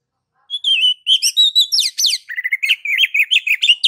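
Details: Oriental magpie-robin (kacer) in continuous gacor song: a drawn-out whistle, then a fast, varied stream of sharp chirps, slurred whistles and rolling notes without pause.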